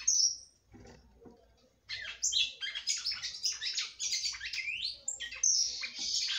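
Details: Female red-cowled cardinal in song, meant to excite the male: one high whistled note, a short quiet gap, then a lively stream of rapid varied chirps and twittering phrases.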